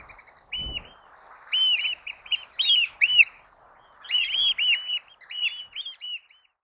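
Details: A Eurasian oystercatcher gives loud, shrill piping notes in two rapid bursts of repeated 'kleep' calls, each note sharply down-slurred; otherwise quiet.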